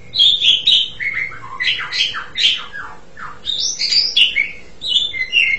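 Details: Asian pied starling song: a continuous run of jumbled notes, some falling whistles, some harsh chattering, changing pitch rapidly from high to lower and back, over a faint low hum.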